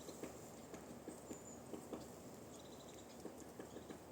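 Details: A woodpecker pecking at a tree in woodland: soft, dry knocks come unevenly, some close together and some after short pauses, over a quiet rustling background with faint high chirps from other birds.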